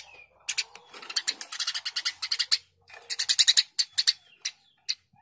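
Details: Lively Eurasian tree sparrow chatter, a dense string of quick, scratchy chirps running for about two seconds, a brief pause, then another fast chirping series tapering off.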